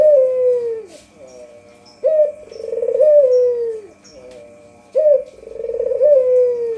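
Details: A white Barbary dove, its call used for luring, gives low, rolling coos, each a drawn-out phrase sinking in pitch, repeated about every three seconds, with faint high chirps in the background.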